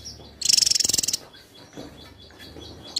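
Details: Javan tesia, a contest bird singing steadily, gives one quick, very high, buzzy trill of rapid pulses lasting under a second, followed by a faint, regularly repeated thin note in the background.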